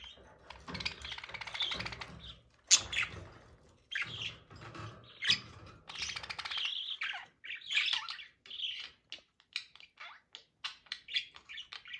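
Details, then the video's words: Budgerigars mating; a long, continuous scratchy warble of chirps and squawks, with sharp clicks and rustling early on, then shorter, separated chirps toward the end. "budgie mating"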